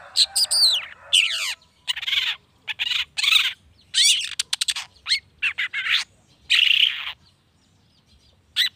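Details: Long-tailed shrike, sung to draw out other shrikes: a fast medley of sweeping downslurred whistles, rasping squawks and clipped chips, densely packed for seven seconds before falling quiet, with one final note.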